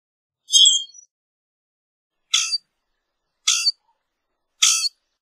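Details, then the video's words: Common grackle uttering a high squeaky note followed by three dry, harsh clucks spaced about a second apart. "Common Grackle Song! Common Grackle call!"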